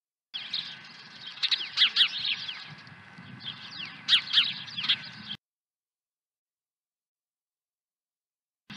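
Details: Osprey at its ranch nest with a second fish, 23 April 2020: bursts of piercing, downward-sweeping chirps for about five seconds, then silence, with a low background hum.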